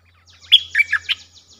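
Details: Streak-eared bulbul calling with a brief, sweet phrase of four bubbly, whistled notes, rising then dropping, clean and close with a faint hum underneath.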